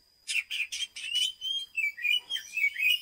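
An oriental magpie-robin sings: five quick harsh, scratchy bursts, then a run of varied whistled notes sliding up and down, with a faint steady high tone behind.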